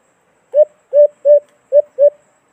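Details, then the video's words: White-eared brown dove, known locally as alimokon, used to lure birds into a hunting trap in the Philippines: five hollow, low coos, the first three evenly spaced, then a short gap before two more. "Magandang huni ng alimokon"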